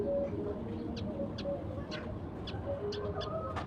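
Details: Sparrows feeding at sunrise, only a few present: short, sharp, high chirps scattered singly across the clip over a steady low rumble, with faint tonal hums in the background.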